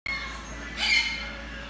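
A Triton cockatoo gives a harsh, raspy squawk that swells for about a third of a second after a softer, nasal lead-in, heard indoors.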